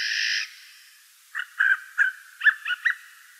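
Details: A Eurasian jay in the morning in the Wittlich valley, 2018, gives one loud, harsh rasping screech, then a quick series of six shorter, gruff notes over about a second and a half.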